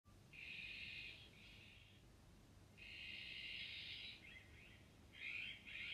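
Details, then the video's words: Iberian magpie calling: drawn-out harsh, buzzy notes, each lasting about a second, separated by gaps, over a steady background hiss. "CYANOPICA Cooki/ Rabilargo / Iberian Magpie"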